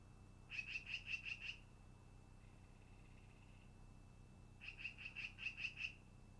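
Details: At a long-eared owl nest, 10 August 2018 early afternoon, two rapid runs of six and seven high, squeaky repeated notes, a faint thin tone between them, and low hum throughout.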